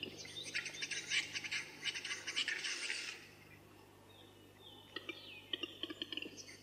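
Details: Western capercaillie at a courtship lek in the early 2000s: a three-second stretch of fast scraping, whetting clicks, then a pause, then scattered sharp ticks and a thin descending whistle from another bird, over a low steady hum.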